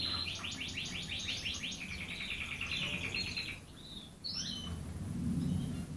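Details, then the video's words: Red canary singing: fast rolling trills of repeated notes that flow into a sustained warbling roll, then a pause and a few higher slurred notes, over steady background hiss. "غناء الكناري الأحمر"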